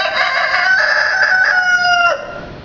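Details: A rooster at Gentry Animal Safari gives one long, loud, harmonically rich crow of about two seconds, holding steady and then dropping sharply at the end. Peacocks may be audible in the background.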